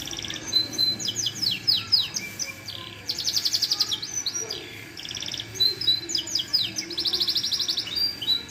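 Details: A yellow canary sings fast, high trills and rolling chirped phrases, with bursts of rapid repeated notes and bright whistles, almost without pause.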